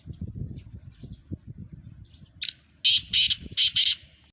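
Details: Black francolin calling in the morning: three loud, harsh, grating bursts in quick succession near the end, preceded by quieter low rumbling background noise.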